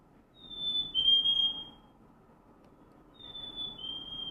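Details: Black-capped chickadee (Poecile atricapillus) spring song, sung to meet other birds: a clear two-note whistled fee-bee, the second note slightly lower, sung twice over a soft indoor hum.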